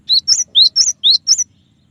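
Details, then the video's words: Cinereous tit, or gelatik batu, in a clear tembakan song. Six loud sweeping whistles alternate between a lower rising note and a higher flat one, each with a short downward tail, all within under two seconds. "suara burung gelatik batu dengan variasi tembakan banyak yang nyari"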